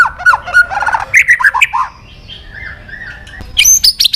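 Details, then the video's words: White-rumped shama calling a rival: quick chattering and whistled notes, a quieter pause with soft phrases, then bright high notes returning at the end. "Suara Burung Murai Batu Gacor Memanggil Lawan"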